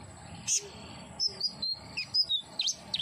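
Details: Common iora song played as therapy to make a captive bird sing energetically: quick, very high thin chirps and short slurred whistles in a rapid, uneven sequence, ending with two sharp V-shaped notes.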